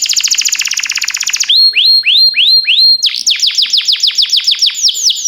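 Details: Canary singing, used to train canaries: a fast rattling trill, then slower upward-hooked whistles about three per second, followed by quicker falling notes in a rhythmic series.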